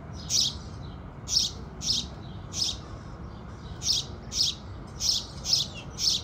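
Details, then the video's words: Loud, crisp house sparrow chirps greeting the rising sun, repeated singly and in close pairs roughly twice a second, with a faint hum beneath. "Sparrow Sounds"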